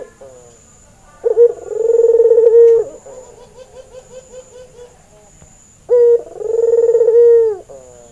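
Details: ['Albino white Barbary dove with red eyes, described as a male in breeding mood, used as a training lure. A sharp opening note leads into a long rolling, tremulous coo. It is given twice, with softer, broken cooing between the two.']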